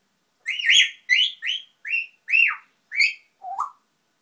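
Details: Domestic grey parrot talking to itself in a quick run of seven whistled syllables, mostly arching up and down at a high pitch, the last one lower and rising.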